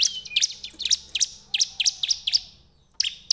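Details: Bar-winged prinia song used as a lure to set other birds singing: a fast series of sharp, high chipping notes, some with a thin whistled slide, repeated in bursts with a brief pause near the end.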